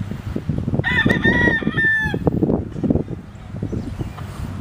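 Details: Rooster crowing, one of a few roosters: a single drawn-out, harmonic-rich crow lasting about a second and a half, level then falling at the end, over steady low rumbling background noise.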